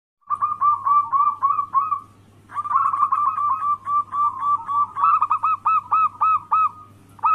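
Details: Local zebra dove singing in the anggungan cooing style, used as a lure to make rival doves call: rapid runs of short, mellow, trilled coos at a mid pitch, several strings overlapping, with a short pause and a steady low hum behind.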